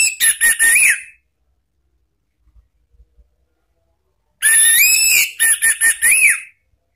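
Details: Orange-headed thrush song, ngeplong and ngeriwik styles, used as a lure for cage birds. Short staccato notes end in a rising-falling whistle; after a pause, a longer phrase of mixed whistles and clipped notes ends with a similar slurred whistle.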